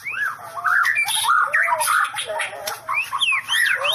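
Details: White-rumped shama singing a varied, jumbled phrase of short slurred whistles and squeaky notes that rise and fall at mid to high pitch, with quick chips over a faint low hum.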